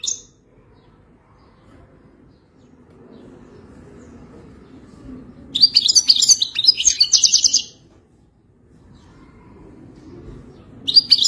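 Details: Moroccan wild European goldfinch giving its wadani song in short spells: a couple of seconds of rapid, jangling twitter mid-clip after a long quiet stretch, with a fresh burst starting at the end.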